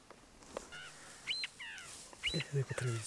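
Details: A Snow Partridge chick, lost and returned to its nest by a porter in the Garhwal Himalaya, Uttarakhand, gives short, thin high peeps and slurred chirps in quick irregular bursts; a person speaks softly near the end.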